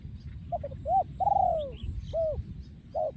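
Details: Spotted dove breeding male from Thailand, 2023, in yon ku ang song: clipped double coos lead into an arched note, then a drawn-out falling coo and two more arched coos, over low rumbling noise.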